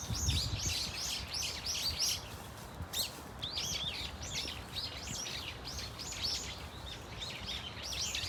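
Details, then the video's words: Brown-eared Bulbuls calling in a flock at Dunsan Grand Park, with sharp, high, slurred chirps repeated roughly every half second in quick series, several birds overlapping, and a steady low hum beneath. "직박구리 무리 다양한 울음소리 Brown-eared Bulbul sound of crying"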